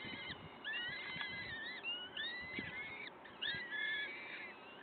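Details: Several overlapping high whistled calls from the peregrine falcon nest in Wakefield on the morning of 5 May 2021, thin level and rising notes in quick bursts, with soft thumps and hiss behind.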